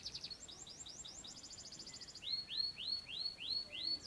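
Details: Murai singing as bait to draw an answer: a rapid buzzy trill of high notes, then a run of rising-and-falling arched whistles repeated roughly every third of a second, with light hiss behind.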